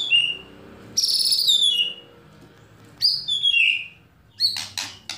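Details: White-rumped shama lure song, three bright phrases of high notes slurring steeply downward, separated by pauses, ending in a few sharp clicks.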